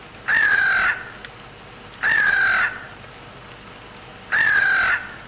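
A crow gives three harsh, drawn-out caws, each lasting over half a second and spaced about two seconds apart, over a quiet background.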